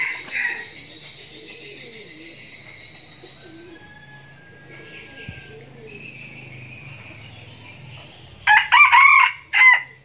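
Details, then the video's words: A young red junglefowl decoy cock, after a long quiet stretch with faint high insect hiss, gives one short, harsh, broken crow near the end. "Gà mồi tơ"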